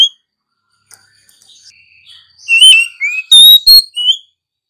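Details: Singing female Oriental magpie-robin, used to encourage other birds to sing: quiet scratchy warbling builds into loud, clear whistled phrases with rising slurs and brief harsh notes.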